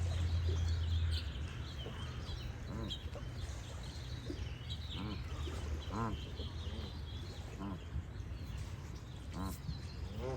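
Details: Goose honking outdoors, short nasal harmonic honks given singly about every one to three seconds, over steady low rumble of flowing water or wind, with high chirping songbirds in the background.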